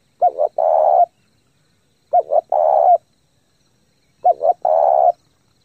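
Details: Spotted dove lure bird cooing fast to stimulate decoys: three clean phrases about 2 seconds apart, each two clipped hoots then a sustained rolling coo, against a silent background.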